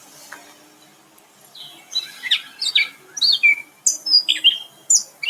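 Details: Gray Catbird in Greensboro, North Carolina, on June 1st, sings a jumbled song of short squeaky, nasal and sweeter notes, each brief phrase different, about once a second, high-pitched throughout.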